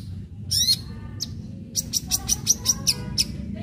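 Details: Long-tailed shrike song in sharp fighting style, used to lure other shrikes to sing: a few scattered high squeaks followed by a fast, even train of shrill, buzzy notes, over quiet low background noise.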